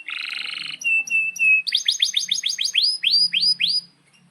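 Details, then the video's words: Canary song meant as a master for young birds learning their song: a buzzy chattered burst, a few sustained whistled notes, then a quick series of sharp, falling sweeping notes repeated several times a second before fading. "Kenari GACOR PANJANG INI Cocok untuk Masteran KENARI PAUD dan Kenari Macet BUNYI"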